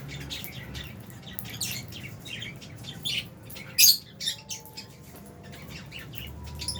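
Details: Albino and Fisher's lovebirds chirping: scattered sharp, high chirps and short squeaky bursts, louder near the fourth second, over a steady low hum.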